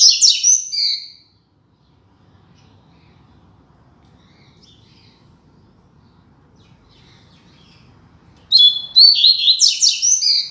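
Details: Training song of the Double-collared seedeater in the classic 'Tui Tui Zel Zel' style: a rapid high, buzzy, twittering phrase opens, a long near-silent pause follows, then another fast chattering burst of sharp repeated notes.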